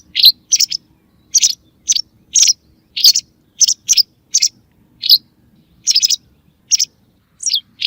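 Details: White wagtail calls used as a lure for bird hunting: sharp, high chirps, single or paired, repeated irregularly at roughly one to three per second over a quiet background.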